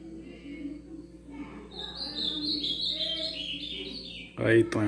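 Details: A young ultramarine grosbeak, just beginning to break into song, tries out a short, sweet warbled phrase sliding downward from high to mid pitch; a steady low hum and a sudden loud knock follow.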